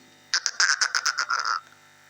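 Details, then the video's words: Talking parrot giving a quick series of about ten short, clipped, voice-like syllables, ending in a slightly longer drawn note, all within just over a second. "talking parrot | parrot sound"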